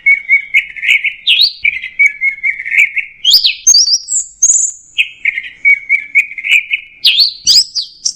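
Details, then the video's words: Teler-style song of an orange-headed thrush, made of repeated slurred warbling phrases broken by quick high upslurred whistles, with a brief rising note near the end. "Suara Burung Anis Merah Teler"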